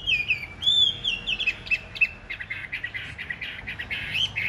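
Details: Singing in a fighting display, a big caged Chinese hwamei gives clear descending whistles, then a rapid trill of short notes and a final high slur.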